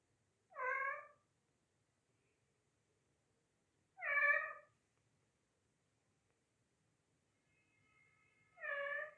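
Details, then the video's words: Parrot that began meowing after a kitten joined the household, producing three short, cat-like meows spaced about three to four seconds apart, with a faint thin whistle before the last one. "Parrot meowing and making cat sounds"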